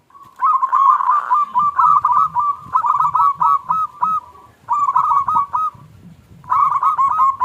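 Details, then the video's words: Zebra dove of the local type giving a small 'klung' song as a lure for doves that have gone quiet. Long runs of crisp, hooked cooing notes, about four a second, are broken by brief pauses. "Perkutut Lokal Gacor Suara KLUNG Kecil PIKAT Juara Pancingan Perkutut Macet Langsung Nyaut"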